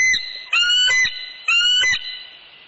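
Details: At a northeast Florida nest on a January 2019 evening, with a mature adult visitor landing, a bald eagle gives a short note, then two loud, clear, whistled piping calls about a second apart, fading afterward.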